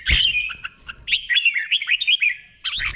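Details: Red-whiskered bulbul kept in a cage, delivering the doubled 'beun' song as a tutor recording: a steady run of warbled, wavering whistles lasting over two seconds, opened and closed by louder chirps.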